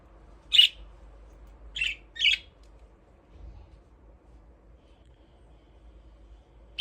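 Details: Budgerigars playing in their aviary, giving a few short, harsh chirps spaced irregularly across the clip, with quiet gaps between them and faint low background hum.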